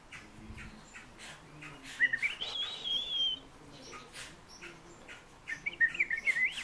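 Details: Fieldfare song of scratchy squeaks and short whistled notes, a drawn-out thin high phrase midway, then a quick jumbled chattering burst at the close, over soft background noise.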